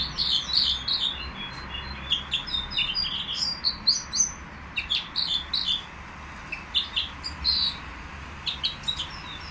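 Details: Nightingale held in a cage at the Qriaa bird market, delivering a long, varied run of sharp chirps, slurred whistles and clicking notes in rapid groups, briefly quieter mid-phrase, over constant low background rumble.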